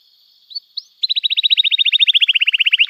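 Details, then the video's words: Canary singing a long lively chirping song used to teach young canaries to sing. Two brief upslurred notes lead into a fast, even trill of about twelve notes per second that slowly drops in pitch. "Kenari Gacor Panjang Cuit Cuit Emosi"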